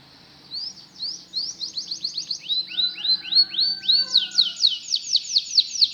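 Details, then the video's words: Canary song to lure canaries to learn singing, over a low steady hum: rising chip notes quicken into arching phrases. It builds to loud, rhythmic down-slurred notes repeated about twice a second. "LONG CANARY SOUND"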